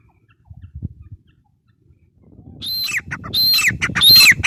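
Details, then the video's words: Grey francolin (teetar): a quiet start with faint low rustling, then at mid-clip three loud, high, squeaky phrases follow one another quickly, each with a rising whistled note and a falling tail. "Teetar sound | teetar awaz | gray francolin teetar sound"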